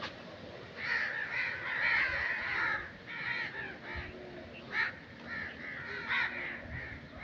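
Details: Series of rough crow caws, some run together and others clipped short, set against constant hissing background noise.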